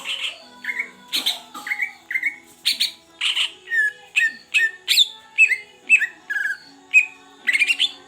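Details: Caged Greater green leafbird from the Aceh Beutong forest, one month in care, delivering a fast run of varied whistled phrases, about two notes a second, mixing short downslurs, rising chips and buzzy notes over a faint background hum.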